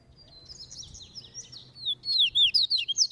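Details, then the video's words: Training double-collared seedeater singing the caveirão song style while loose: softer buzzy warbled phrases first, then loud, bright, down-slurred whistles in rapid succession toward the end. "COLEIRO CAVEIRAO TREINANDO NO SOLTO"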